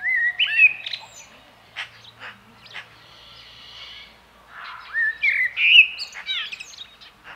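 A common blackbird gives two mellow, fluting warbled phrases, each breaking into a squeaky high twitter at the end, with a quiet pause between them.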